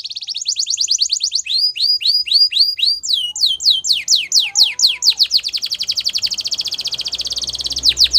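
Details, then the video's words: Gloster canary training song: long varied performance of fast high rolls, curved whistled phrases and steep descending notes, strongly rhythmic, with faint low rumble at the end. "Gloster Canary Singing | Canary Training Song"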